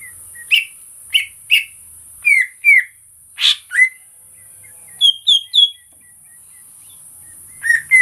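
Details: Greater green leafbird song, recorded for real: a lively string of short whistled notes, many slurring sharply downward, with a harsh rasping burst mid-phrase and quick triple chirps. A steady high hiss runs underneath.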